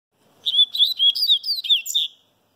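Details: Sooretama seedeater (papa-capim baiano) singing while sunbathing: a brisk two-second phrase of bright, twittering, slurred whistles, evenly spaced and quickly repeated, in an otherwise quiet setting.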